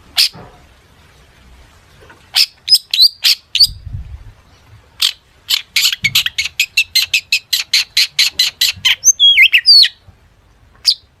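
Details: Long-tailed shrike delivering a mimicry-filled song intended to get other shrikes singing: scattered high chirps, a soft low knock, then a long fast run of clicking ticks ending with twisting whistles.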